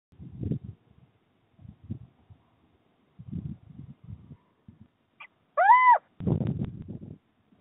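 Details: Little owls mating on a roof ridge, 29 January 2023: a single loud, arched, mewing call rising and then falling, with clear overtones, after soft low rustling and thumping noises.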